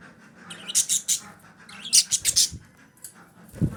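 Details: Female budgerigar call played to stimulate breeding: two clusters of sharp, high, rasping chirps about a second apart, each of three or four notes, followed by a lone chirp and a soft low thump.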